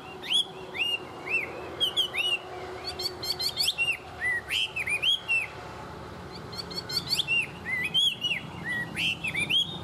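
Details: A tame Chinese hwamei in strong song delivers bursts of dense whistled and chattering phrases, separated by short gaps, over nearly ten seconds.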